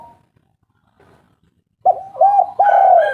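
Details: Spotted dove lure call for prompting lazy birds to sing; after near-silence, loud low coos break in abruptly, a rolling run of rounded notes with a higher tone layered above.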